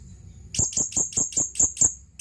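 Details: Seven evenly spaced, shrill high chirps, roughly five a second, from a male blue-crowned hanging parrot calling to a female.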